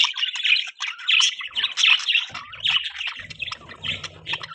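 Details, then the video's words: Budgerigar twittering steadily: bright, scratchy chirp clusters repeated roughly every half second, with a faint low hum in the background toward the end. "Beautiful Budgie Chirping Sounds"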